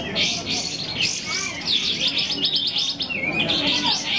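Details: Sooty-headed bulbul singing at a bird singing competition: dense, busy chattering and warbling phrases, high and bright, running almost continuously with quick rising and falling notes, over a low background murmur.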